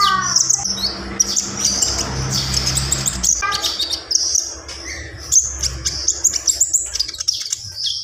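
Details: Full isian song from a gacor Javan pied starling: a long run of high squeaky chatter and whistled notes, with some short rising calls in between and a background hiss and hum.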